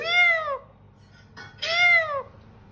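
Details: Pet parrot that talks, producing two drawn-out meow-like wails, each bending up and then down, separated by a brief rustle, over a low background hum.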